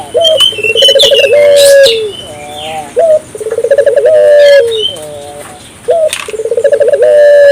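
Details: African collared dove calling repeatedly as a prompt for other doves. Three coo phrases, each a sharp high note, a pulsing trill and a long, slightly falling tone. Scattered twitters and chirps from other birds.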